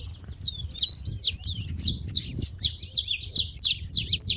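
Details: Saffron finches making a racket at a feeding spot, with quick high chirps tumbling over one another, growing busier toward the end, over a low rumble.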